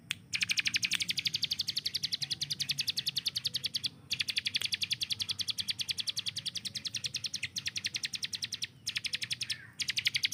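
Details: Kept hill prinia used as a master song bird, chattering in long, fast bursts of bright, uniform chips. The volleys are like automatic gunfire, broken by brief silences.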